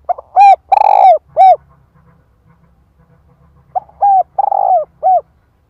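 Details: Decoy female spotted dove cooing to provoke a male into responding: two loud bursts of husky, rolling coos, each of three or four notes with one harsh drawn-out middle note, separated by a quiet gap with a faint low hum.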